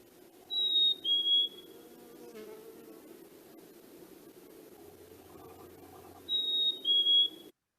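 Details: Black-capped Chickadee, a Midwest year-round resident that stays through winter, gives its clear two-note whistle, a higher note sliding lower, twice about six seconds apart over soft hum; this whistle is often heard first thing in the morning.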